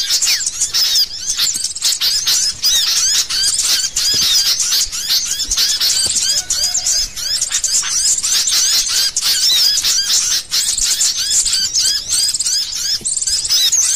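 A noisy flock of sooty-headed bulbuls chattering together, with bright overlapping chirps and short whistled phrases running without pause throughout.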